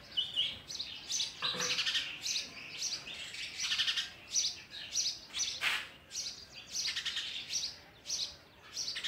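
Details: Sparrow parent feeding its chicks oversized food; the young give shrill, rapid chirps in clustered bursts about every half second, with brief lulls and a few sharper high squeaks among them.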